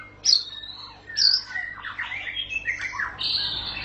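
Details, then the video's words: White-rumped shama in ngerol style: two sharp high notes drawn into long whistles, followed by softer, busier warbling phrases and a closing sustained high whistle, set against a faint steady hum. "para raja murai batu ngerol panjang"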